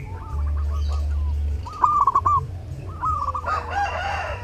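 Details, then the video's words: Zebra dove singing busily during Lebaran, meant as a master song for other birds: three short bursts of rolled, cooing notes separated by brief pauses, the last mixed with a rougher call, over a steady low drone. "LEBARAN TAMBAH RAME DENGAN SUARA PERKUTUT: Burung perkutut gacor saat lebaran cocok buat masteran"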